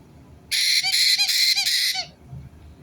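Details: White-bellied caique parrot, recorded 9 April 2022, giving a harsh, raspy, broadband screech broken into about four rapid pulses over one and a half seconds, then falling quiet; faint low background rumble.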